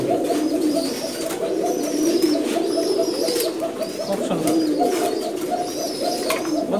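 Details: A male Bashiraj pigeon at a pigeon loft or market in Dhaka gives deep, rolling coos, with other pigeons cooing alongside.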